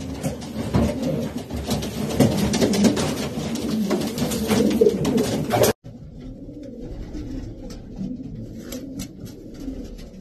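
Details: Racing pigeons cooing in low murmurs among clattering and rustling; the sound cuts abruptly midway, then quieter cooing continues.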